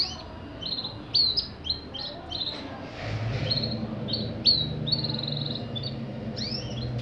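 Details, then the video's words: Canary singing in quick phrases: rapid rolls of repeated high notes, short buzzy trills and slurred whistles, with brief pauses between bursts, over a steady low background hum. "Canario Pirata"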